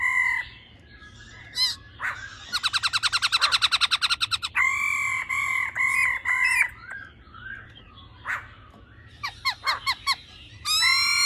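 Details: Female laughingthrush in a 'ro ro' performance meant to rouse males, with scattered sharp notes, a rapid buzzy rattle of many pulses, a longer run of fast rolling notes, then a few clipped chips and a final bright note.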